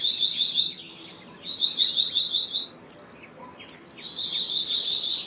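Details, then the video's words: Black-naped monarch, also known as black-naped blue flycatcher, sings rapid strings of high, sharp, evenly repeated notes in three runs separated by short gaps. Light chirps from other birds are heard in the background. "Black-naped Monarch Song! Black-naped Monarch Call! Black-naped Monarch Sound"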